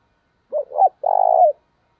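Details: Lure spotted dove giving a short, rougher coo: two quick hoots run together, then a long burry purring note, with no closing hoot.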